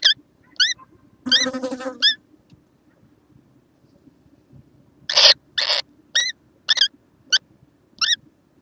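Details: Young kookaburra, 6 November 2014, giving short rising squeaks with rich overtones in irregular groups, mixed with harsh rasping bursts and a faint low background hum.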